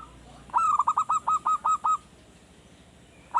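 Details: Zebra dove in captivity, a young bird in early training, sings a lure phrase of nine crisp, evenly spaced staccato coo notes delivered rapidly at a steady pitch, followed by quiet.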